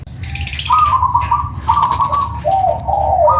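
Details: Perkutut, or zebra dove, from Tuban giving its kristal-style song: a long trilled coo, a second bright rolling phrase, then lower bubbling notes, over sharp high-pitched chirping from other small birds.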